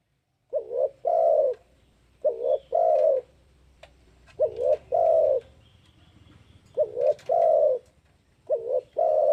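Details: Spotted dove calling, used as a lure: deep, mellow coos grouped into short phrases of a quick double note followed by a longer drawn-out coo, repeated about every two seconds with silent gaps between.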